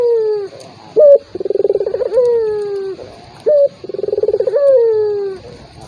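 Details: Lure call of a turtle dove for provoking a rival that will not call: two full phrases, each a clipped high note, a quick pulsed roll and a drawn-out coo sliding gently downward.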